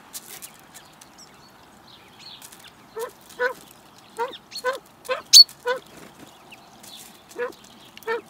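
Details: Wild common pheasants courting in the mating season, filmed by a garden feeder camera in Recke, Germany, on 24 March 2021. About ten short nasal clucks come in an uneven series. Brief high songbird notes are heard between them.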